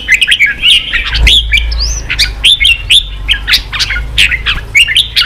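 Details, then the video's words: Red-whiskered bulbul singing, meant to provoke wild-caught birds to fight and to train their voice; clear whistled phrases and sharp chirps in short bursts, one long rising whistle near two seconds, a low thump at the start. "Kích chào mào bổi đấu, luyện chào mào sổ giọng, kích chào mào căng lửa"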